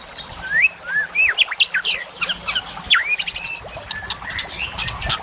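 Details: White-rumped shama song on a masteran for fighter birds: swooping whistles mixed with sharp clicking strokes and buzzy high notes, over a noisier background.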